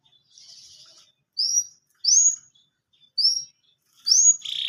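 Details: Canary in breeding condition, wanting to mate, giving a soft buzzy note followed by four separate short rising whistled chirps about a second apart, ending in a brief harsh burst.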